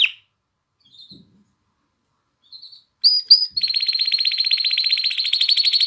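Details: Canary song for exciting females and coaching young birds, mostly quiet at first with faint notes, then sharp chirps leading into a steady fast trill held to the end.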